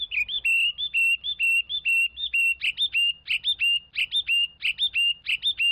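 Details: Chinese hwamei repeating short, flat whistled notes in a steady chain, broken by sharper upward flicks and richer accented notes as the phrase speeds up.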